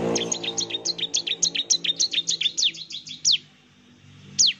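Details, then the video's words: Ciblek (Bar-winged prinia) lure song played to provoke an answering bird: a steady run of sharp, high downslurred notes about four per second, ending in a silence and one isolated shrill note. "suara pancingan ciblek gacor, NEMBAK terus ciblek pasti NYAUT emosi dan gacor"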